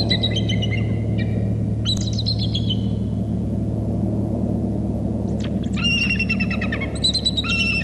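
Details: On Hornby Island, a nest camera picks up two bald eagles calling excitedly as they fly into the nest. Short series of sharp, high, stuttering whistles come in three bursts, with a quiet gap in the middle, over a constant low hum.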